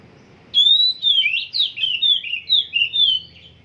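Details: A trained Oriental magpie-robin, its song still being shaped, opens after a short pause with a clear rising whistle, then rattles off a steady chain of sharp, warbled, downslurred notes at an even, lively pace against quiet background hum.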